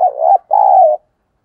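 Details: A spotted dove coo used to draw in other doves: two close, hoarse, mellow phrases, the second longer and steadier, ending abruptly in silence.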